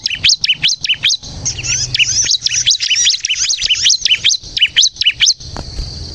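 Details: Rapid bar-winged prinia song used to draw birds in and make them sing: high, sharp chirps at the start and end, with a denser scratchy twittering passage in between and a faint low hum.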